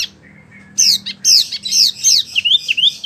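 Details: A small kept tailorbird (wambi) sings a rolling song: a rapid run of high, thin chirps and sliding whistles, partly rolling, over a faint low indoor hum.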